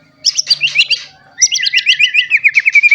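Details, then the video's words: White-rumped shama, a recently moulted caged bird singing in full voice to provoke other shamas into singing: choppy high chattering phrases, then a fast run of sharp notes over a steady thin whistle. "Murai Batu Gacor Ampuh Untuk Pancingan Murai Batu Agar Bunyi Langsung Emosi"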